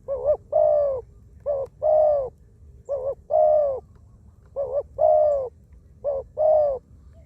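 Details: Spotted dove decoy bird, wild-caught, calling on the ground with many coos: five paired phrases, each a brief quavering note then a drawn-out mellow coo, spaced about every 1.3 seconds.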